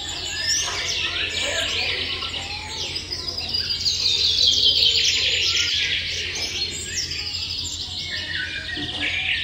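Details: Small nestling birds waiting for food: a dense, continuous chorus of shrill, high-pitched chirps and squeaks that overlap throughout, swelling slightly in the middle, with a steady low hum beneath.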